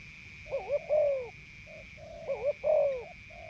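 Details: Spotted dove, a captive male just taken out of a breeding cage and tested as a lure bird, cooing: soft low hoots rising to a longer, falling coo, phrase repeated about every two seconds, with a steady high hum behind.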